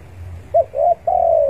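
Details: Spotted dove calling rivals, used as a lure for trapping: a short low coo, then a slightly longer coo and a drawn-out falling coo, all low and mellow, with faint low background noise.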